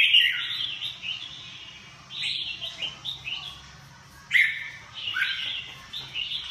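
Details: Red-whiskered bulbul singing short, bright whistled phrases that slur up and down, delivered in bursts with brief pauses between them, over a faint low hum.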